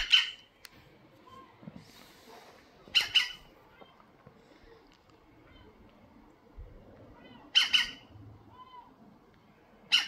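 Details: A European green woodpecker making itself known with harsh, two-note squawks at intervals of about three to five seconds, over faint background rustles and small knocks.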